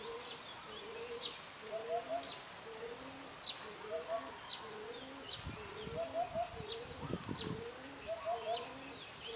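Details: Eurasian hoopoe calling its mate to come and take food, giving low, soft triple hoots at intervals, with many other birds whistling high and sharp in the background.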